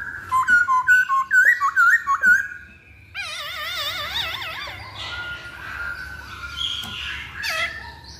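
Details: Masked laughingthrush recording used as a lure for birdsong: a run of short, clear whistled notes with stepped inflections, then longer wavering, vibrato-like whistles and softer overlapping calls.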